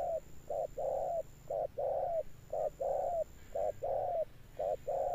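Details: A spotted dove coos in a deep 'thunder tone', its ending coos long-lasting. Clear, low notes alternate short and prolonged coos at a regular pace over a faint background hiss.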